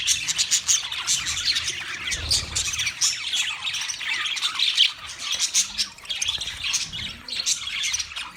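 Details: Busy chirping from wild budgies: many overlapping bright tweets and scratchy squawks form an unbroken high chorus, with little else audible.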